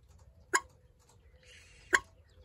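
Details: A pair of loud, abrupt calls from young common moorhens, about one and a half seconds apart. Each is a brief, rasping, harmonic burst, with faint thin calling between them against a quiet low rumble.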